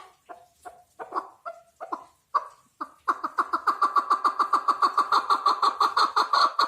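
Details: Chukar partridge calling: a few spaced, downward-slurred chuck notes, then from about three seconds a fast, steady run of harsh repeated notes, roughly three or four per second and building in strength.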